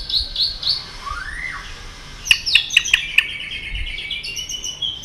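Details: White-rumped shama being stirred up to sing its fighting song: a few high whistled notes, a lower rising-then-falling slur, then a burst of five sharp clicking notes followed by a long high whistled trail.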